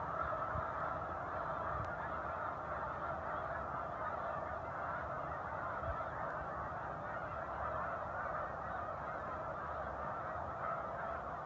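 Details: Large raft of Snow Geese gathered on Cayuga Lake between Romulus and Aurora, New York, in December 2023; a dense, unbroken chorus of overlapping nasal honks that holds steady with no pauses.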